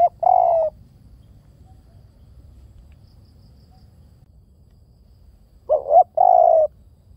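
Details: Spotted dove coos: the tail of one phrase opens the recording, then about five seconds of near silence before a full phrase of a short double note and a long, slightly falling coo.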